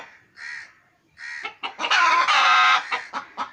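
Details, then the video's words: Home-kept pet chickens: two soft, nasal, mid-pitched clucks, then a burst of quick clucks building into a loud, harsh, sustained squawk, trailing off with scattered short clucks. "My Home Pet Chickens Clucking"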